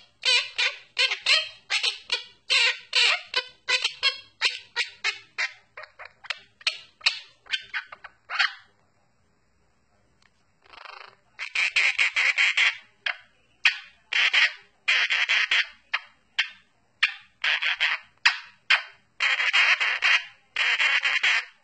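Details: A pet monk (Quaker) parakeet gives a rhythmic run of harsh, raspy squawks, singing its version of the Addams Family song.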